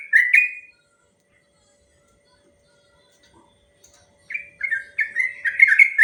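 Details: Yellow-vented bulbul giving a long rapid 'ropel' song, used as a master recording for training other bulbuls: one short burst of bubbly whistled notes, a long silence, then a fast run of rich, gurgling phrases.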